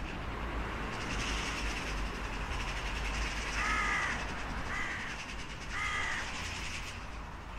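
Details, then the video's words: A crow gives three rasping, nasal caws spaced about a second apart midway through, preceded by softer scratchy calls, over a constant low-pitched rumble. "Sunete de ciori. Sunete de pasare cioara."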